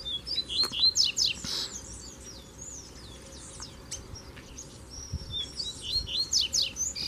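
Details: Double-collared seedeater song during a duel in the bush between a kept male and a strong, wild, black male. Loud, high, quick phrases of sharp downslurred and rising whistles come in two bursts, separated by a quieter gap.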